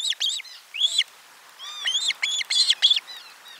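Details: Osprey at a Finnish nest, live-camera recording of 12 July 2022 around lunchtime fish delivery, giving bursts of high, whistled chirps, each note briefly arching, several in quick clusters with slight overlap.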